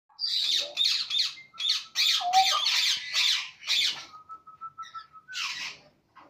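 A cockatiel gives a quick run of about a dozen harsh, raspy squawks, broken by a steady, thin, level whistle, in a small indoor room.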